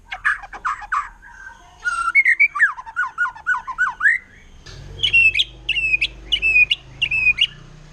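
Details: Wild forest white-rumped shama singing in its 'nembak' style, said to stir up other shamas: mellow notes, then a string of rising whistled slurs, then bright two-part whistles repeated about twice per second over a faint low hum.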